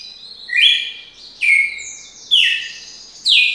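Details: Red-cowled cardinal in long song: four ringing whistled phrases, each a sharp downward slide ending in a held note, spaced just under a second apart, with faint hum behind.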